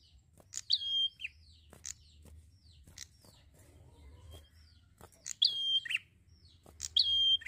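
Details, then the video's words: A prinia singing relaxed and actively gives short bursts of high, sharp chirps and thin whistled notes, with quiet gaps of a few seconds between phrases. "PRENJAK GACOR SANTAI"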